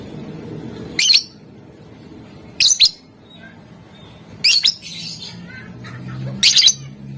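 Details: Lovebird in full, eager song (gacor, with ngetik and ngekek styles) used to provoke rivals into answering: four loud, harsh, high-pitched chattering bursts, each about a third of a second, spaced roughly two seconds apart, over a low room hum.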